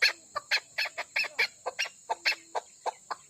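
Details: A female Chukar partridge kept in Pakistan utters brisk, sharper clucks with a brighter, higher edge, roughly a dozen notes in three seconds, uneven in spacing, against a faint continuous whine.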